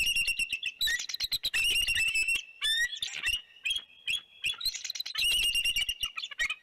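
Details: Nesting bald eagle pair, Big Bear, January 2, 2019, in an uproar as a large bird, possibly a juvenile bald eagle, passes the nest. Dense, loud, piercing chatter of rapid high notes, broken by a few longer, sliding squeals.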